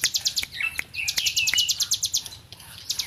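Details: Hill prinia, a tame bird, in vigorous song: quick high-pitched ticking notes in a fast series, with a few sharp clicks and a short lower chirped phrase mixed in.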